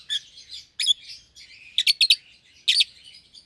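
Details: Two young lovebirds, a red-eyed albino and a euwing green opaline, in a cage together: scratchy, shrill chirps and quick stuttering triplets amid continuous soft chattering.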